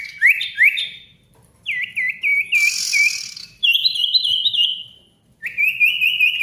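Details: Male ashy tailorbird's energetic gacor song meant to make silent tailorbirds sing again: upslurred whistles, a wavering trilled phrase, a short buzzy burst, then steady warbled whistles repeated evenly.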